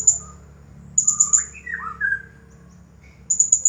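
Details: Champion blue-crowned hanging parrot in the 'Nagih Hutang' song style: clusters of piercing high chips, broken by lower, swooping whistled slurs, before the high chip bursts return. A soft low hum runs underneath.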